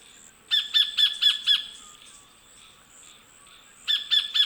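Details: Sacred kingfisher calling in the Australian bush at Wollemi National Park: a quick run of five loud, sharp 'kek-kek-kek' notes, a pause with faint background birds, then another series starting.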